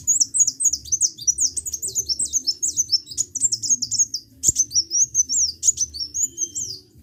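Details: Continuous sunbird twittering: a long, rapid chain of piercing, high, zigzagging notes, nearly unbroken for seven seconds, with one sharp click midway.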